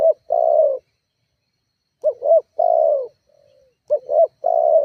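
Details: Spotted dove calling as a lure to provoke rivals: mellow low coos in phrases of two quick notes and a drawn-out falling note, spaced roughly two seconds apart, with a quiet faint coo between phrases.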